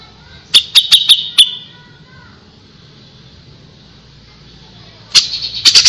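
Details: A rapid string of five harsh, rasping notes from a grey-cheeked bulbul, then a pause with faint background hiss, then a fresh burst of loud chatter starting up.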